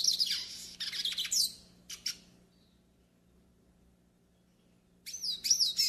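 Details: Yellow-faced siskin song for pairing and warm-up: a burst of rapid buzzy twittering, a few separate chirps, a silent stretch, then another quick run of wavering high notes.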